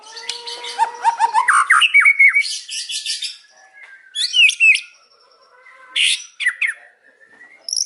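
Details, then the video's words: White-rumped shama in the afternoon pouring out a long, hard song of fast chattering notes and slurred whistles, then scattered sharp phrases after short pauses. "KICAUAN MURAI BATU SORE HARI BONGKAR ISIAN KERAS"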